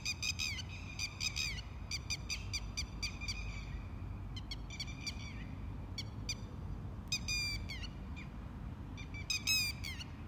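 A lapwing calls in loud, shrill bursts of sharp repeated notes, several quick phrases over ten seconds, above a steady low rumble of wind.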